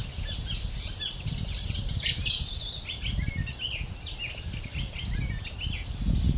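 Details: Juvenile fieldfare awaiting parents and food, recorded 20 May 2013; a run of short high chirps and squeaky notes through the clip, fairly quiet against a strong low-pitched background hum.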